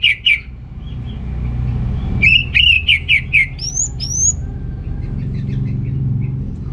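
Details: Lively gacor singing of an orange-headed thrush (anis merah), Singaraja, Bali, used to excite males short on breeding drive: a pair of quick notes, then a fast series of repeated chirps and two high rising whistles, then fading background chirps.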